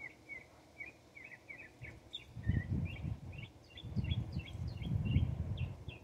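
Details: Northern mockingbird in Texas delivering quick chirped and slurred notes repeated steadily, partly masked by loud low rumbling traffic or wind noise in the second half.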